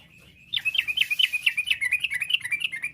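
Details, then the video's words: Yellow-vented bulbul singing in the fast 'ropel' manner used to draw replies from other bulbuls: after half a second of quiet, a steady string of sharp, bouncing chirps runs to the end, evenly spaced and clear. "trucuk gacor, bikin trucuk lain nyaut seketika.! trucuk ropel, trucuk nggaruda, kicau trucuk fariasi"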